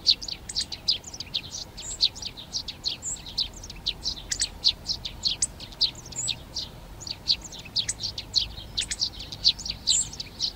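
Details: Eurasian tree sparrows claiming nest boxes in a Czech garden at Přerov in March 2020 chirp continuously: sharp, high, evenly repeated notes, several per second. Chaffinch, serin, hawfinch and dunnock are singing behind them.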